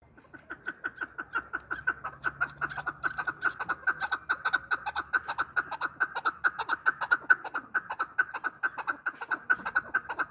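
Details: Chukar partridge, known locally as chakor, calling as a hunter's lure: a long run of clucking chuck notes repeated about twice a second, steady and rhythmic, gradually growing louder.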